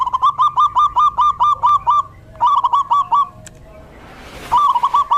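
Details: Male local zebra dove singing energetically, repeated rapid bubbling coo phrases of about ten notes each, three bursts separated by pauses, with a rushing noise between; used to lure wild doves and stimulate quiet caged ones.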